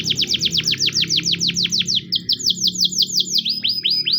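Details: Russian canary training song: a fast roll of downward-sweeping whistled notes, about five a second, shifting midway to a lower, flatter series before climbing again, over a soft low hum.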